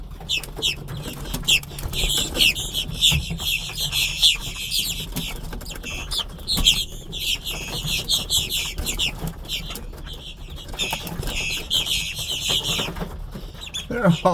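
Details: Big blackbird flock working a parking lot at Buc-ee's, Brunswick, Georgia, on March 3, 2026; a continuous chorus of shrill, creaky squeaks and chatter swells and fades over steady low vehicle noise.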